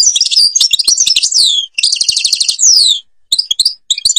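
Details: European goldfinch from Algeria singing a song style called the Babas forest Tibrli song: rapid, high, tinkling twitters and chirps with sweeping descending slurs, broken by short pauses and resuming in scattered notes.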